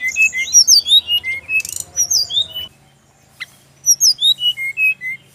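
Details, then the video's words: Brown-chested jungle flycatcher in Bali delivering a song that sets off replies from others of its kind. Bright descending whistled notes repeat about three times a second, pause briefly, then start again. "SRDC laen langsung nyaut denger suara burung SIKATAN RIMBA INi"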